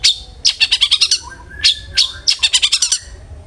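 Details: Long-tailed shrike song used as a lure to get other shrikes singing: loud bursts of rapid, harsh, chattering high notes in three rattling runs of about eight notes each, with a faint lower whistle between bursts.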